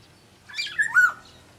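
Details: Energetic song of a caged black-naped oriole from Sumbawa: a single clear whistled phrase stepping down through two or three liquid notes in under a second.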